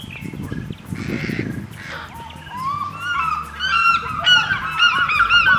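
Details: An African fish eagle at Kisumu on the shore of Lake Victoria, Kenya, gives a run of loud, ringing, gull-like yelps, several per second, over a low engine-like hum and some earlier rustling.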